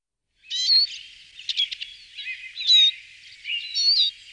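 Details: Eurasian siskin song: a varied run of high twittering phrases with sharp notes, buzzy trills and bright whistled flourishes, delivered in bursts over about four seconds against a quiet background.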